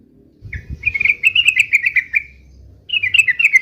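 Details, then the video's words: Yellow-vented bulbul giving fighting song: a quick run of clear, liquid bubbling notes falling slightly in pitch, a short pause, then a second run, with a soft thump at the start. "trucukan gacor UPLIK UPLIK TARUNG"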